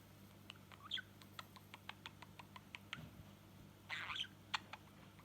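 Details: A pet male budgerigar just over 4 months old, in his baby voice, gives a quick run of soft, clicky chirps, ending in a brief scratchy warble.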